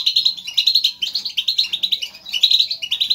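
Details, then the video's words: European goldfinches, several birds, in a lively group chatter used to stimulate caged goldfinches to sing; rapid twittering, tinkling notes in dense overlapping bursts, continuous with brief lulls. "بتبتة نااار يا حبييبي ناااار لتهييج الحسون ستجعله يغرد من دووون انقطاع. Saka kuşu Motive etmek ses"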